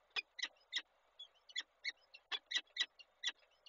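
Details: A peregrine falcon pair in Koszalin on 27 April 2022, the male bringing food for the female: rasping clipped notes at about two per second, uneven spacing, rough and nasal.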